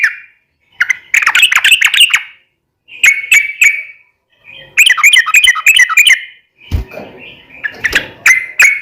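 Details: Yellow-vented bulbul (trucukan), a cage bird used for daily song training, gives bursts of lively bubbly chattering phrases separated by short pauses, with one brief low thump partway through.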